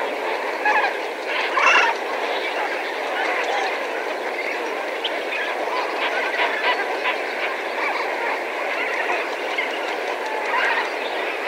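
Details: Lesser Flamingos in a flock of several thousand, recorded at medium distance: constant goose-like honking chorus with a loud burst of calls early on and rhythmic gabbling throughout.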